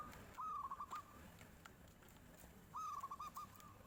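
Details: Two short high trilled phrases of quick beaded notes from a local zebra dove in nyuling style, answering a passing tofu seller, against a hissy background.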